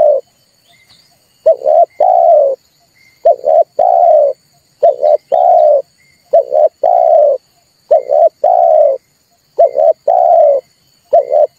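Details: Red turtle dove, its call used to lure birds into traps and set them calling: rhythmic low coos in short-long couplets, cycling every second or so, with faint high ticks.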